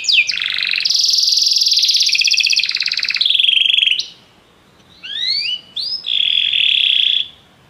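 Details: Canaries singing together after hearing music: a long loud buzzy rolled trill for about four seconds, silence, then rising slurred whistles and another short rolling trill.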